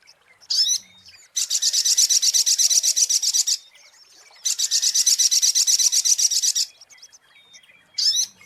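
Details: Sunbird song used as a lure recording: two long bursts of very fast, high, buzzy chipping notes, each lasting about two seconds, with short sharp single notes before and after.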